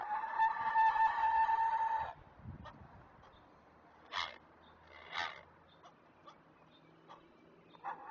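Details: Great blue heron chicks at feeding time, filmed by a Chesapeake nest webcam: one loud, harsh, nasal call lasting about two seconds, then sparse clicks and two short raspy bursts.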